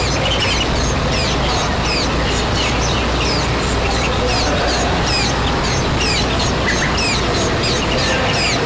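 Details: Wild white-eye parent caring for its young before they fledge: loud, continuous high chirping, each note a quick falling slur, repeated rapidly throughout amid a steady noisy background.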